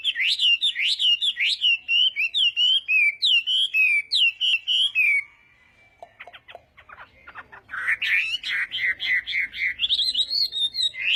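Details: Morning training song of a Chinese hwamei sung in fighting style: loud, high whistled phrases repeated several times a second, a brief near-silent break with faint clicks, then a rapid stream of bright, rising notes resumes.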